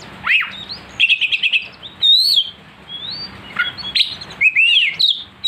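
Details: Provoked oriental magpie-robin (kacer) in aggressive song: a rapid trill of repeated chips, then loud sweeping whistles and harsh slurred notes, bursts every half second, over low background hum.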